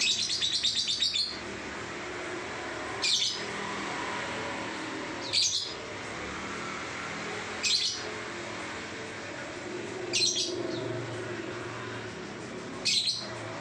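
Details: Lovebird singing in the ngacor style, a continuous-singing test recording: short, sharp, high chirp bursts roughly every two to three seconds, with a longer chattering burst at the start, over steady low background hiss.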